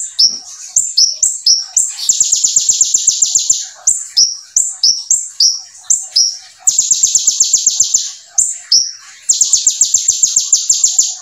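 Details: Brown-throated sunbird (konin) singing vigorously, its song filled with ciblek phrases: high, thin slurred notes alternating with long rapid buzzy trills of many fast strokes, several bursts in succession, no other sounds.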